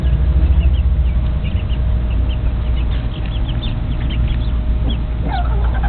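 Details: Young mixed Silkie chicks, bred from a black Silkie crossed with an Easter Egger rooster, peep busily: a stream of short, high descending notes, thickening toward the end, above a loud steady low hum.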